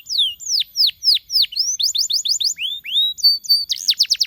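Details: A canary sings, its song offered to spur other canaries on: loud, sweeping downward whistles spaced steadily, then quicker rising notes, a short held tone and a fast rolling trill at the end.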